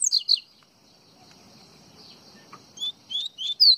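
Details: Double-collared seedeater from Pernambuco, Brazil, singing in the Baiano style: a few high, sharply slurred whistled notes at the start, a long quiet gap, then a quick run of rising and falling notes at the end.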